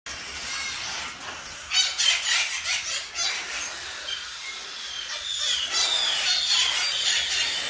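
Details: Adult green-winged macaw gives a quick run of harsh, raspy screeches, then a steadier scratchy chatter that continues to the end.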